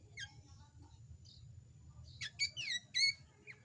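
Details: Young drongo chattering vigorously, praised as a future champion: faint thin notes at first, then a lively run of loud whistled slurs, some sweeping downward, packed close together near the end.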